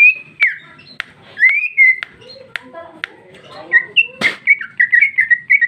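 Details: Female cucak ijo (green leafbird) singing 'ngeplong' with fill-ins: slurred whistles separated by sharp clicks, a quiet mid-pitched warble, one harsh burst, then a quick string of repeated whistled notes.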